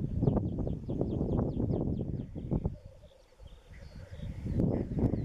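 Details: Lekking black grouse in east Wales, late March 2016, bubbling rookoo rising clearly midway after a gust of wind noise dies down, with quick high chirps from other birds early on.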